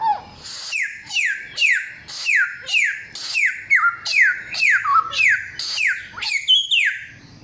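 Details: Samyong with a loud, clear voice from forest stock, delivering a long series of crisp downward-sliding whistles at a brisk regular pace, with an occasional hooked or lower-pitched variant.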